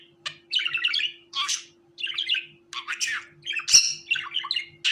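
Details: Indoor budgerigar chatter: short bursts of scratchy warbling and squeaky chirps in rapid phrases with brief gaps, one sharp click, and a constant low hum behind.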